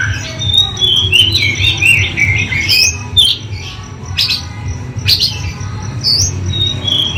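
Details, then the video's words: Oriental magpie-robin singing a rich, varied song of whistles and rapid twittering phrases, sliding up and down, over a constant low hum and background noise. "KACER GACOR"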